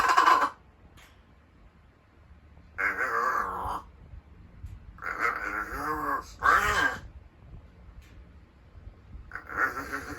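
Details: Rescued large-billed crow kept indoors, calling energetically in the morning as practice for talking; hoarse, groaning, nasal phrases of about one second, separated by gaps of one to two seconds.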